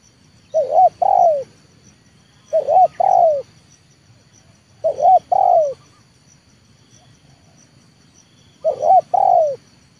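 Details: Spotted dove, a trained lure bird of the 'leopard' type calling to draw wild doves down to the ground, repeating a soft three-note cooing phrase about every two to three seconds against near silence.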